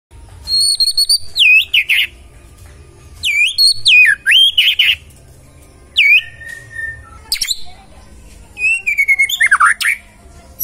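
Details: Magpie-robin (murai) singing vigorously: bright high whistled phrases with slurred and falling notes, delivered in bursts about a second long and separated by short pauses, with a faint low hum behind.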